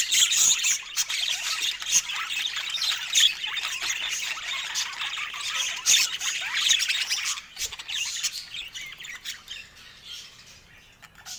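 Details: Budgerigars filmed indoors in natural Scandinavian light give a dense, continuous high chatter of squawks and chirps. The chatter thins and quietens toward the end. No music or speech is heard.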